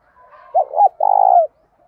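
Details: Lure spotted dove calling to draw in wild birds. It gives two rounded short notes, then a long, even, vibrating coo that slides down at the close, over a quiet background.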